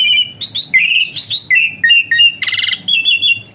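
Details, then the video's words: Asian pied starling, singing whistles meant to spur other birds to sing: rapid mix of short slurred whistles and a buzzy rattling burst, nonstop for under four seconds. "Burung Bersuara PELUIT Jalak Suren Tembakan Kasar Rapat"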